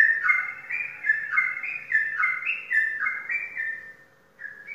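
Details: Prize-winning caged sooty-headed bulbul from Indonesia sings rapid, rich whistled phrases alternating high and low notes, about three a second, then pauses before a single short whistle.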